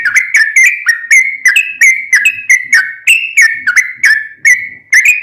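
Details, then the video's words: Singing yellow-vented bulbul, recorded as a training song for caged birds: continuous chattering run of short liquid whistles, each note dipping, repeated rapidly for several seconds. "Trucukan gacor tarung ROPEL panjang"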